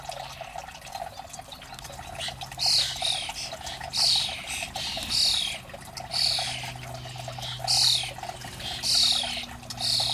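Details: Starlings raiding garden bird food make loud, scratchy, wheezing calls in rough bursts roughly every second, over a quieter chatter and a low steady hum.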